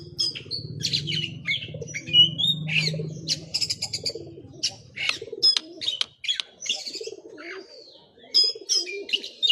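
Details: Oriental magpie-robin showing off its full song repertoire, a rapid medley of sharp clicks, rattling trills, rising and falling whistles and scratchy notes, over a low cooing hum in the first few seconds.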